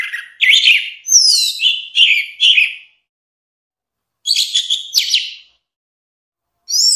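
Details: A clean recording of orange-headed thrush song with bursts of fast, twittering whistles and sweeping slurred notes. The bursts are separated by pauses of one to two seconds.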